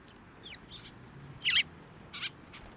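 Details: Two loud, harsh chirps stand out from softer twitters as sparrows fly to a hand for feeding at a Tenmangu shrine, June 2024. A person says good morning just afterwards.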